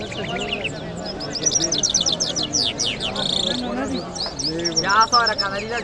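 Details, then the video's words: Lark in Kabul city on a Friday morning, giving a continuous jumble of high chirps, slurred whistles and buzzy trills, with a steady hum of people talking in the background. "Lark Singing"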